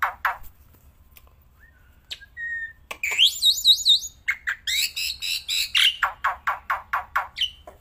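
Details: Black-winged myna, kept bird, singing outdoors and even while held in the hand: harsh buzzy bursts, a held whistle, then looping wavy high whistles and a fast run of about ten repeated rasping notes.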